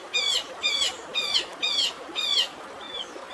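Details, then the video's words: Sparrow-style chirps within a long-tailed shrike's fighting song, with water hissing behind: five rich, ringing notes roughly two per second, each with a slurred, falling shape, ending in a softer note. "CENDET ISIAN GREJA TARUNG DAN SUARA AIR ALAMI"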